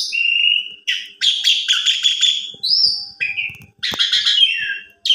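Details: Lure song from an Asian pied starling, sung in the afternoon and suited as a master for young birds: whistled notes alternating with dense grating chatter in phrases of about a second, with a rising slurred whistle midway.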